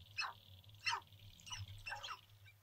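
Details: Four sharp, yelping calls about half a second apart from courting male sharp-tailed grouse on a lek in central North Dakota, April 2021, minutes before sunrise, with a faint steady hum behind.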